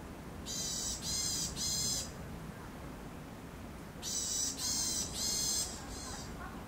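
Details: Eurasian sparrowhawk, a natural monument species, in the 2021 breeding season, when a pair was seen mating from mid-April. It gives harsh, buzzy high notes in two bursts of three, each about half a second long, over a quiet, low background hum.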